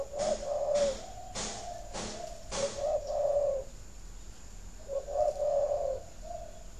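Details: Spotted dove coo used to stimulate laying in breeding doves. Several sharp knocking clicks open the recording, then a soft, low, rolling coo phrase, a pause, and a second similar coo.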